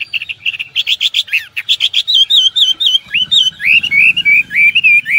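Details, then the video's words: Hwamei delivering fast song: clipped buzzy notes at first, then a string of bright wavering whistles repeated about four per second, with soft low background hum. "wambi \ hwamei gacor"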